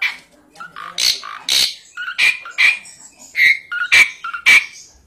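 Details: Song of an Asian pied starling, mixing harsh, loud, broadband rasps with short rising whistles, about two notes each second in an uneven, jerky pattern.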